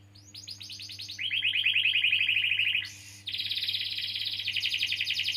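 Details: Singing canary, a long-rolling bird played as a lure for young or silent canaries; quick chattering notes lead into a steady rapid trill, a brief harsh break, then a higher buzzing rolled phrase.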